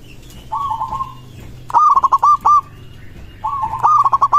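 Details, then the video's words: Song of a local zebra dove, used to make other doves reply: loud rattling coo phrases of rapid clipped notes, mid-pitched, some phrases trilled and choppy, repeated a few times over a low steady hum. "Perkutut lokal suara ini disukai burung perkutut langsung nyaut"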